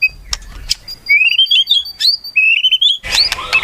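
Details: White-rumped shama giving clear whistled phrases that rise in stepped, wavering notes, separated by sharp clicks, finishing with a burst of dense high notes.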